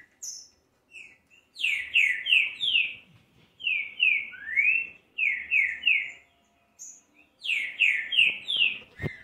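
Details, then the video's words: Green-winged saltator being warmed up to sing, delivering loud, clear whistled phrases of three or four downslurred notes repeated in quick succession, separated by short pauses, with a few thin high notes and a knock at the end. "ESQUENTE SEU TRINCA FERRO AO MÁXIMO"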